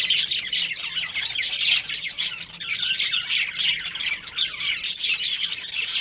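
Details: Two budgerigars kept as a breeding pair give steady, scratchy warbling chatter with sharp squeaks and brief clear whistles throughout.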